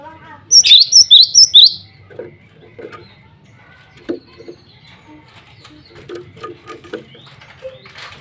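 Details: A male cinereous tit calling rivals and a female gives a quick burst of about five high, sharp, swooping whistled notes. A series of softer, lower chirps from other sounds follows over the rest of the recording.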